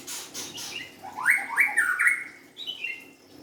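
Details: White-rumped shama song with a rapid series of rising whistled sweeps, slightly harsh in tone, clustered in the middle, followed by a softer high trailing phrase.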